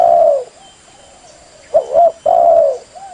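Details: Spotted dove calls played as a lure for trapping: low, mellow coos, a long downslurred coo, then a short double note and another drawn-out falling coo, with a faint steady high hum behind.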